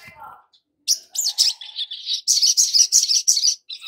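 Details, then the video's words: Long-billed spiderhunter song used as a lure recording to prompt young captive birds to sing. A rapid series of high, buzzy chirped notes repeats about three times a second, with a faint lower warble near the start. "Pancingan SOGON BAKALAN agar Cepat BUNYI dan GACOR || Pancingan Sogok Ontong agar NGOBRA"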